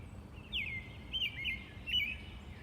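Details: A robin delivers three short, bright twittering phrases with quick pitch flicks, against faint steady low background noise.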